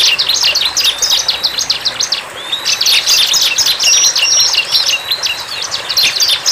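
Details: Bar-winged prinia in the wild, singing lively: fast bursts of high, sharp chip notes in a tight chatter, a short lull after two seconds, then a longer run of crowded trilled notes.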